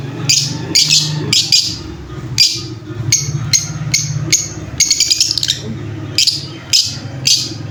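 Lovebird giving about a dozen shrill, scratchy chirps in quick, irregular bursts, some paired, over a faint low indoor hum.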